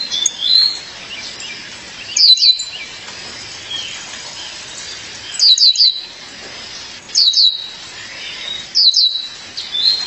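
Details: A female violaceous euphonia calling for her mate repeats short bursts of piercing high chips about every two to three seconds, with fainter thin notes between the bursts.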